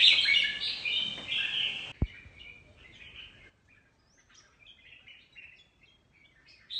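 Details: Mutant red-whiskered bulbul in a singing contest: a loud, rich warbled phrase, a sharp click, then soft, scattered chirping notes trailing off.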